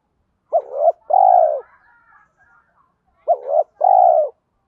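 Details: Caged lure spotted dove in deep 'giọng thổ' voice, calling to draw wild doves in to fight. Two low phrases, each a short double coo followed by a long, steady, slightly falling coo, with a gap between.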